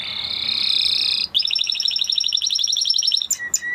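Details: Spanish Timbrado canary delivering a sustained buzzy roll, then a long run of quick, evenly pulsed metallic notes, ending with a few short whistled notes.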